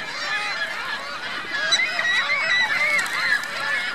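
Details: Geese with goslings at Virginia Lake in Reno: a dense, continuous chorus of overlapping nasal honks from several birds, with thin, high whistled peeping notes rising and falling through the middle of the stretch.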